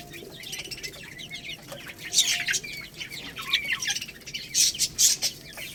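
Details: Lohmann Brown chicks, a young rooster and hen, feeding on rice: bursts of shrill downward-slurred cheeps, loud peaks near the middle and end, over a steady patter of pecking taps.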